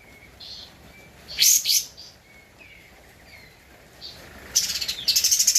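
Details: Javan white-eye, a lively singer, in an original recording used as a master track for training cage birds: two loud harsh bursts around 1.5 seconds, faint thin whistles, then a fast buzzy chattering run at the end.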